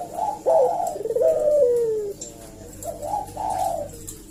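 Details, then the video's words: Eurasian collared dove, a vigorously calling lure bird used to provoke replies: a rolling coo rising to a bright note, then a long throaty coo sliding downward, the phrase repeated after a short gap. "suara burung puter gacor ini pancingan nyaut"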